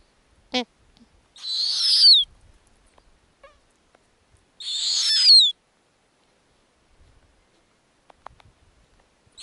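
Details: Snowy owl owlets at their nest in the Arctic during feeding on lemmings. One sharp click, then two drawn-out hissing screeches roughly three seconds apart, each finishing with a falling whistle, otherwise near silence.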